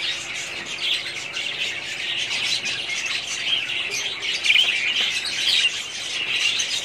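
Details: Budgerigar breeding colony with a thick chorus of high chirps and squawks, about one note a second rising above the constant twittering background.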